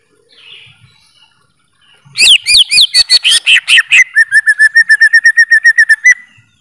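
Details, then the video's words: Greater green leafbird bursting into song after two quiet seconds: a few bold down-slurred whistles, then a fast, even trill of short clipped notes at a steady mid-high pitch lasting about two seconds. "Suara Burung Cucak ijo"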